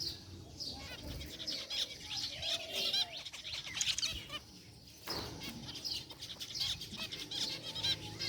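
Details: Several zebra finches, gray and white, chirping quietly in a cage: fine, overlapping high beeps and twittering chatter at moderate volume, with a short lull midway.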